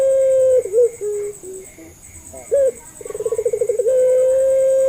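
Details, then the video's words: Puter pelung dove calling as a lure for other puter doves. After a sustained tone come wavering broken notes and a short sharp hoot, then a rapid pulsed roll that settles into a long even coo. "SUARANYA❗, PANCINGAN MASTERAN BURUNG PUTER"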